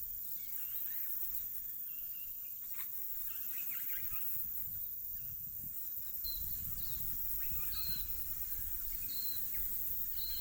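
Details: New Zealand silvereye, or tauhou, feeding on insects and early autumn native bush fruit in inland Kapiti, New Zealand, in March. Short, thin, high notes come in scattered bursts over a steady high hiss and a low rumble.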